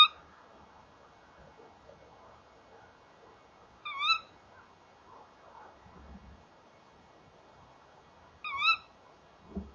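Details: Male and female tawny owls calling together at a nest box at 19:31 on 30 January 2014, the female entering the box with the male following; three short, sharp, squealing calls about four seconds apart, with faint low knocks between them.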